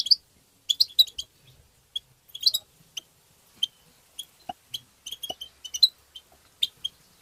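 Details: European goldfinch song used to stimulate goldfinches: bursts of quick, high chirps and twitters mixed with a few soft clicks, recurring irregularly across seven seconds.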